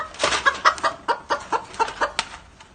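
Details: A hen of a Thai game-fowl breeding line kept for its strong voice cackles in a quick run of about ten short, harsh clucks, one every quarter second, fading toward the end; faint background noise.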